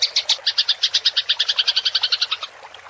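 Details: Eurasian tree sparrow in clear fighting chatter for training songbirds. About twenty distinct sharp chirps come in quick succession, speeding slightly, then stop near the end.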